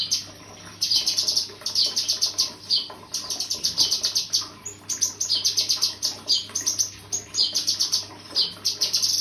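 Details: Cucak kinoi delivering long streams of shrill, rapid chirps and trills, grouped in dense bursts with a brief break near the middle, against a quiet low background hum.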